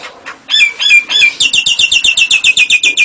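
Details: Nias hill myna mimicking lovebird and canary: three loud, sweeping whistled notes followed by a steady, fast series of sharp, buzzy chirps, about four per second, without a break.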